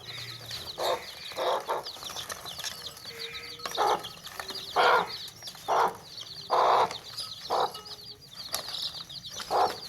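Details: Domestic chickens in a tokri basket: low, hoarse hen clucks in short bursts roughly every second, over a steady bed of thin, high baby-chick peeps running throughout.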